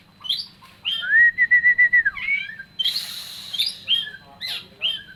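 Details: Energetic Oriental magpie-robin song: a steady run of clear, evenly repeated whistled notes on one pitch, then a dip and rise, followed by rougher buzzy phrases and scattered short chirps.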